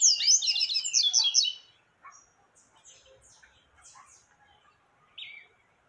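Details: Double-collared seedeater giving the 'tui tui' song style, used to teach young birds: a dense burst of high, rapid twittering notes lasting over a second, then scattered faint chips and one short descending note near the end.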